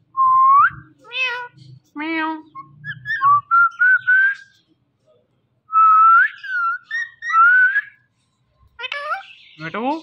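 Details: Indian ringneck parakeet whistling: clear, tonal, rising and wavering whistled phrases mixed with a few short harmonic syllables, broken by pauses of a second or two.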